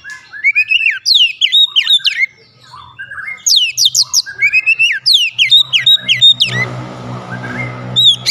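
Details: White-rumped shama singing as a lure to make other shamas sing and grow agitated: dense runs of sharp downslurred whistles and short trills in quick succession, with a brief pause and a low hum toward the end.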